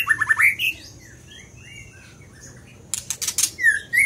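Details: Scarlet minivet singing: a quick run of short whistled notes, then rising and falling slurred whistles, a burst of sharp dry clicks, and a final upslurred whistle.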